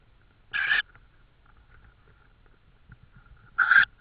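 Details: Estonian tawny owl recorded on the evening of 14 May 2013 at 21:43, prey noted. Two brief, hoarse, hissing calls about three seconds apart over a faint low rumble and soft ticking.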